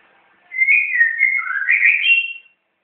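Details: White-rumped shama (murai batu) kept in Jakarta, Indonesia, singing on its first day: one unbroken two-second run of clear, warbling whistles that slide up and down and end on a higher, sustained note, against a quiet background.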